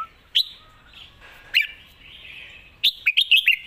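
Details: Red-whiskered bulbul, a caged competition bird, giving its master song: two separate sharp whistled notes, then a fast bubbling cluster of five chirpy notes near the end.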